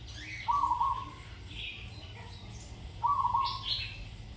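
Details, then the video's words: Zebra dove being trained for a good song pattern delivers two rolling, bubbling coo phrases about two and a half seconds apart, while other birds add soft higher chirps. "นกเขาชวาฝึกต่อ เสียงเพราะๆ เดินกลอนดีๆ"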